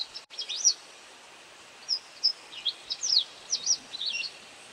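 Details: White wagtail taking insects, giving bright, high chip notes: a quick cluster at the start, then spaced single and paired downslurred chirps, with soft steady hiss.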